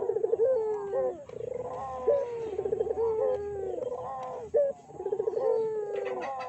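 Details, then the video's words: Barbary doves calling as a lure for other doves: rapid pulsing coos that descend, repeated roughly every two to three seconds, with several birds overlapping. "PANCINGAN BURUNG PUTER GACOR!!! BURUNG PUTER MANA SAJA PASTI EMOSI"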